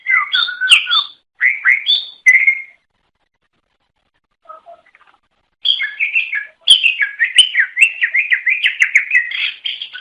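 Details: A greater green leafbird sings bright, varied whistled phrases in short bursts, pauses, then runs into a fast, continuous warble of rising and falling notes; the song is used to attract other greater green leafbirds.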